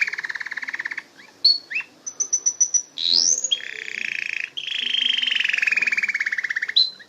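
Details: Canary song mixing buzzy rolling trills, brief rising whistles and a quick series of high pure notes, then a long slowly descending rattling trill lasting over two seconds.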